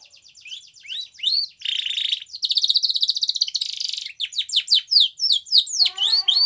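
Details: Singing white Spanish Timbrado canary in a training recording: a quick stutter of high notes, a buzzy sustained trill, a long ringing rolled trill, then a run of sharp downward-sweeping whistles.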